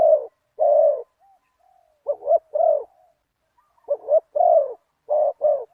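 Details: Decoy spotted dove, big-voiced with one kuk, calling to a target bird. Its soft, throaty coo phrases each begin with a quick pair of notes and end on a fuller, longer coo. The phrases repeat after short silences.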